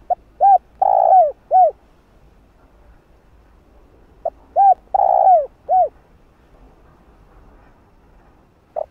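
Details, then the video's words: Spotted dove calling song meant to stimulate a decoy bird, two full four-part phrases, each a short note, an arched coo, a long rolling coo, and an arched coo, spaced about four seconds apart, with a third phrase starting at the end. "Cu gáy GÁY GỌI, Thúc Đảo Giọng Kích Mồi Tập Bổi"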